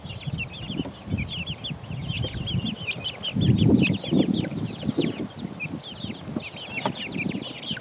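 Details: Chicks aged four weeks pecking around; dense chorus of high chirping peeps, some longer arched whistles, with a burst of rustling and pecking noise mid-clip.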